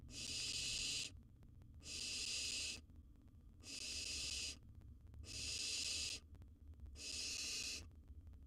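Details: Wild barn owl owlet at its nest box with prey, a large gerbil: five long, harsh, breathy hisses, each about a second long, repeated roughly every one and a half seconds, with quiet gaps between.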